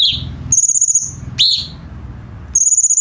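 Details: Cucak cungkok bulbul singing as a tutor for captive birds: a short upslurred note, a high steady pulsed trill, another rising slur, then a second trill starting.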